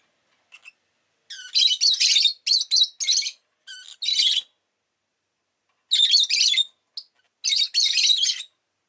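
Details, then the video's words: Pet rosy-faced lovebird chirping: bursts of harsh, high, broadband chirps in quick clusters, a pause of about a second and a half, then more rapid shrill chatter; no other sounds heard. "Lovebird Chirping Sounds"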